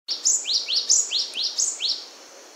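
Cinereous tit giving a fast series of high, rising chirps, about four per second, over faint background hiss.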